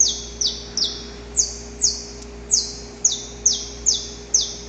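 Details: Male Saffron finch in the wild, giving its extended, rough dawn song to court a female: a run of high, harsh down-slurred chips with short irregular gaps, a constant faint hum beneath.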